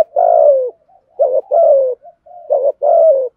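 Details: Spotted dove used as a decoy to stir wild birds into cooing. A long, throaty falling coo, then two quick pairs of a short note and a drawn-out descending coo, delivered in close succession.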